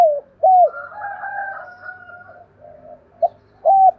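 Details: Decoy spotted dove, 'giọng thổ' singing style, calling to draw wild doves into calling: arched coos at start and end framing a layered, steady murmured tone with a higher overlapping line.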